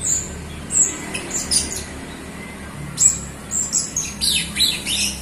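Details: Jalak Rio myna song, used to stimulate other Rio birds to sing. Scattered high thin whistles and squeaky chirps come in irregular bursts, denser in the second half, over low background noise.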